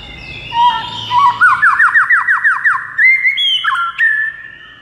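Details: Song of a white-rumped shama (murai batu) played to make a quiet bird sing: a rapid series of about ten rolling, slurred notes at mid pitch, followed by clear whistled phrases that step up and down.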